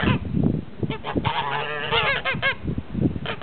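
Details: Several blue and grey Toulouse geese giving nasal, arched honks in short bursts, separated by lower grunting sounds and moments of quieter chatter.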